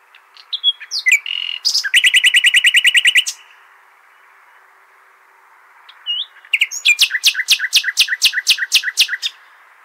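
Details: Nightingale singing in the al-Hasaniya song style, played to tutor goldfinch and hybrid chicks. A few thin notes lead into a fast, even run of about fifteen rattling strokes. After a pause comes a second long run of sharp repeated notes.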